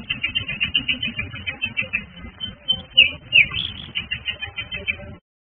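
A canary sings a fast run of high, bright chirps and trills, about two or three notes a second, over a muffled, low background hum.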